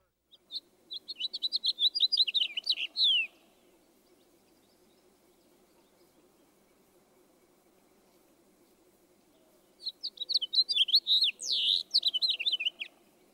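House finch singing two long, lively warbles of rapid slurred notes, each about three seconds, separated by a pause; the second ends in a harsh buzzy slur.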